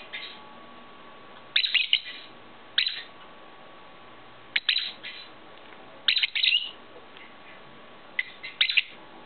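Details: Pet lovebirds, one grey bird with clipped wings longing to fly; shrill chattering chirps in short groups of two to four notes, spaced one to two seconds apart.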